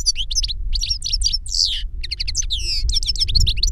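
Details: Goldfinch, an older bird singing to teach a younger goldfinch: rapid twittering song of high chirps, trills and short buzzy notes in bursts, over a steady low hum.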